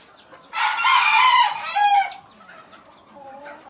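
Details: Black Tailed Red Marans rooster in a pen giving one loud, raspy crow of about one and a half seconds with a falling final syllable, followed by soft low clucks.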